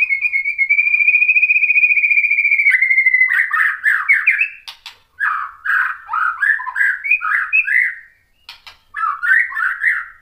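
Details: White-rumped shama singing to draw replies from other shamas: a long, steady whistle with a fast tremolo, then a quick string of chuckling, varied syllables with short pauses.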